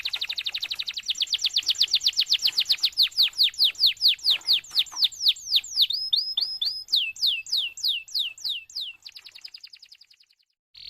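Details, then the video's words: Singing canary in long continuous song, meant to prompt other canaries: a rapid high trill slowing into separate downward-slurred notes, a short run of flat whistles, then more sweeping notes and a brief buzzy burst. "suara BURUNG KENARI GACOR PANJANG"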